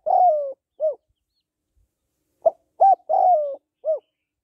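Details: Female spotted dove calling to stimulate males, in the hạp bổi voice style: two cooing phrases, each a drawn-out, slightly falling coo followed by a short rounded coo, with a brief clipped note before the second phrase.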